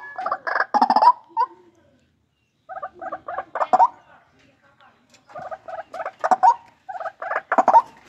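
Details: Captive-bred white-breasted waterhen giving a loud call: bursts of rough, grating croaks, a silent gap of over a second, then further clusters of harsh honking notes.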